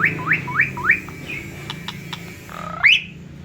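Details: Singing myna gives four quick rising whistles, a soft flat whistle and faint clicks, then one loud sharply rising squeal.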